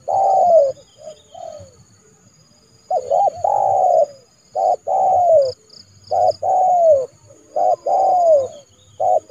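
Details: Trained decoy spotted dove calling in January to lure a rival into a yard trap: repeated phrases of a short clipped note followed by a longer, descending, slightly hoarse coo, with pauses between bursts and faint high chirps in the background.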